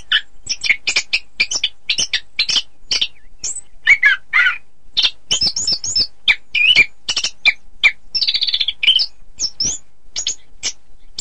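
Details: Orange-headed thrush song used as training for song contests: a fast, continuous run of short varied chirps, trills and whistled notes with almost no pauses, crisp and close with a quiet background.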